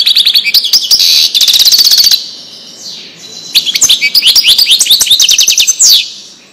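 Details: Wadani-style European goldfinch song used for teaching fledglings. It opens with two seconds of rapid buzzy trilling, goes quiet for about a second, then resumes with varied tinkling, chattering twitters.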